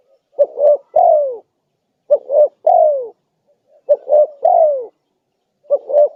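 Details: Lure recording of a spotted dove in full voice, used to attract wild doves: hollow coo phrases of two short notes ending in a long, downward-curving coo, repeated about every one and a half seconds in a quiet background.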